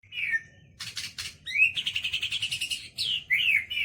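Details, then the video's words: Caged white-rumped shama singing, trained with a mix of other birds' songs including lovebird: a descending whistle, harsh buzzy bursts, then a rapid trilled run of repeated notes and swooping whistled phrases. "MURAI BATU ISIAN KAPAS TEMBAK SAMBUNG LOVE BIRD"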